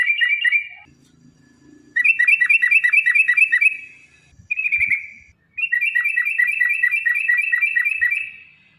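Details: Yellow-vented bulbul in a rolling 'ropel' song meant to stimulate caged birds: a short chirp, then two long bursts of rapidly repeated crisp notes separated by a brief pause with faint clicks.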